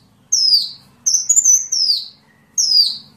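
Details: High sunbird whistles for training songbirds: clean descending slurs, the middle one run into a wavering trill before dropping, with quiet gaps between phrases.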